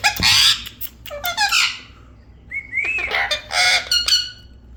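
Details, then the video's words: Parrot giving loud, harsh screeches, a brief whistled upslurred note in the middle, then more rasping calls and clicks. "parrot sound is beautiful"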